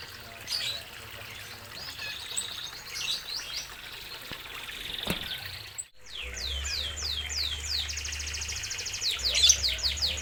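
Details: Zebra finches in a minimalist aviary with a natural setting. Quiet at first, then after a brief gap a run of high, nasal, downward-sweeping notes repeats rapidly over a steady low hum like running water.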